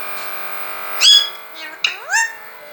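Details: Pet parrot talking indoors: short voice-like phrases with bright, sweeping tonal harmonics near one and two seconds, with a person's speech nearby and a steady background hum.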